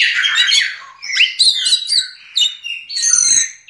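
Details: Yellow-legged thrush, a black diamond-type singer, singing a rich, fast run of high whistled and warbled phrases, with squeaky notes and trills in quick succession and no gaps.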